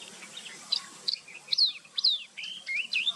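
Yellow-eyed babbler giving a quick, uneven run of high, clear whistled and chirped notes, some rising and some falling, about two each second over a faint background hiss.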